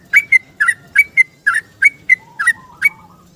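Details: Yellow-vented bulbul singing a rapid 'ropel' song in the morning, seeking a companion, used as a lure. Quick paired whistled notes, liquid and bubbly, with a soft lower trailing whistle near the end.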